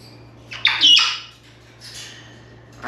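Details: Caged pet African grey parrot, indoors during a practice session, lets out one loud raspy squawk of about half a second, followed by a softer breathy squawk and the start of another, over a faint low hum.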